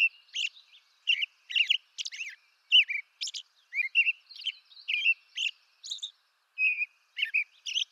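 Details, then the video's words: American robin in eastern North America sings a steady run of short, clear caroling whistled phrases, each rising and falling, several per second with brief pauses. "American Robin Bird Song"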